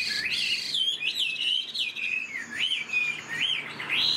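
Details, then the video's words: Caged tame Chinese hwamei whistles loud, looping song notes that bend up and down roughly every half second, ending in a rising slur. "Chim thuần sách lồng hót"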